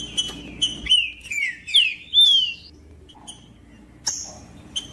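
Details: Trinca-ferro (green-winged saltator), female calls meant to warm up a silent male, alongside a singing male. A run of clear, downslurred whistled notes early on, then sparse short high chirps with quiet gaps.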